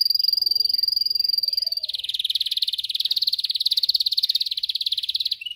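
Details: Canary singing to train other canaries: a thin, steady high trill changes abruptly into a louder, fuller, fast pulsing roll that continues almost to the end.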